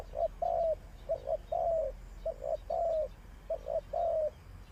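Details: Spotted dove used as a decoy in trapping repeats three-part cooing phrases, short soft notes leading into an extended slightly falling coo, four phrases in quick rhythm over low background hum.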